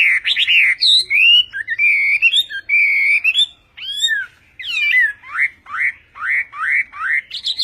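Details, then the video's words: Chinese hwamei in the Họa mi Tây Vietnamese singing style: rich, varied whistled phrases, some long and level, some looping. These give way to a series of repeated rising whistles about every half second. "HỌA MI TÂY - TIẾNG HÓT VIỆT"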